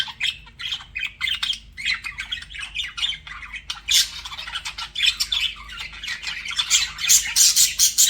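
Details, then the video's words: Budgies flirting with rapid clicking chirps about two or three per second, building into louder, denser scratchy chatter and high squeaky notes in the second half, several pet birds calling. "BUDGIES FLIRTING"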